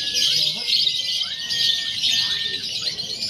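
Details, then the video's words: Simulated lovebird free-action contest blending konslet, fighter and paud styles, for training birds before the field; continuous piercing chatter overlaid with short descending chirps and a long flat whistle. "SIMULASI LOMBA LOVEBIRD BEBAS AKSI (KONSLET, FIHGTER, PAUD)"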